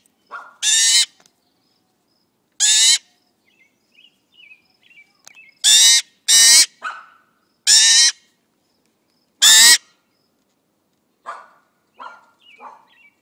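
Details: Morning food begging from a friendly magpie fledgling, its owner close by: series of loud, raspy broadband screeches, some in quick pairs, interspersed with quieter chattering chirps and soft squeaks toward the end.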